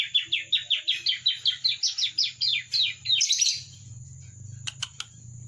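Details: Bar-winged prinia chick learning its song. It delivers a steady run of about fifteen rising chirps, nearly three per second, that ends in a scratchy flourish. A couple of sharp clicks follow over a faint hum.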